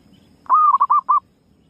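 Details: Single phrase from a female zebra dove used as a lure: a long, slightly wavering coo trailing into three short, rounded notes.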